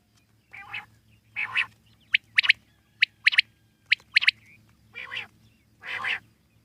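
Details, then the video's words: Common quail calling in the wild, soft nasal rasping notes framing a run of sharp, piercing triple-note phrases spaced about a second apart, low hum beneath. "Common quail wild life sound /jungli Batir ki awaz"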